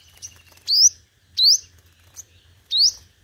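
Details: Sunbird (hút mật 5 màu) competitive singing: three loud, sharp upslurred whistles about two-thirds of a second apart, with a faint thin note and a brief chip between them.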